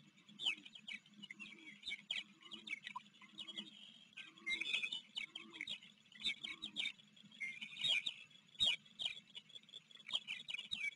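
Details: Ospreys on a river nest in Maryland, 28 July 2022, afternoon, filmed by a nest camera while a recently fledged chick from a neighboring nest visits; rapid series of high, sharp chirps in dense bursts, with scattered clicks and low background hum.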